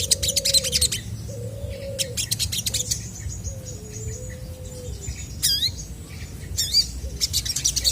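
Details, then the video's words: Chestnut-backed scimitar babbler singing vigorously to provoke replies from other birds: a run of low, steady whistled notes, some stepping down then up, with bursts of high chirps and a few sharp upswept calls from other birds. "SOGON GACOR BIKIN BURUNG MANAPUN PASTI IKUT NYAUT!!!"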